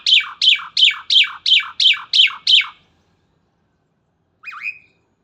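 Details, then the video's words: Starling in the morning delivers a rapid run of eight sharp, down-slurred whistles about three per second, then a pause and one twisting whistled note. "Burung Jalak Gacor dipagi Hari"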